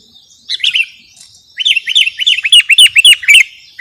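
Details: Sooty-headed bulbul song used for luring and as a master recording for training birds: a short chirped pair, then a fast run of slurred, bouncing chirps about four per second, over a steady high hiss.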